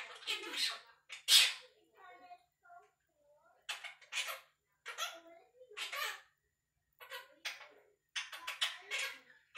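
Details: Pet Quaker parrot, a one-year-old male, talking and chattering indoors: hoarse speech-like phrases in short clusters separated by pauses, some softer mumbled notes between louder raspy bursts.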